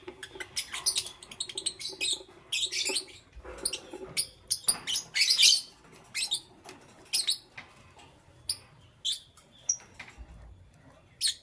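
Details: Morning chirping from green, yellow and lutino lovebirds: sharp, shrill, squeaky notes in uneven clusters, some loud bursts, separated by short quiet gaps.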